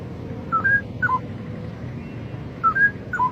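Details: A wild Straw-headed Bulbul in Indonesia gives two short, clear whistled phrases about two seconds apart, each a few rising and falling notes, over a low background rumble.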